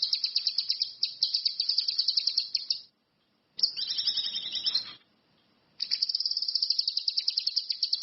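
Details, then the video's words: Vigorous orange-headed thrush song: a long run of rapid, high, buzzy pulses, a pause, a descending chattering warble, then another fast, rattling trill. "SUWARA BURUNG CUCAK KINOI/ RANTI MAS, GACOR Masse.."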